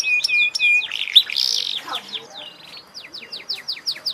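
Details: Canary in song: a few clear whistled notes, a blurred noisy burst, then a fast series of repeated downward-sweeping notes over a steady hiss.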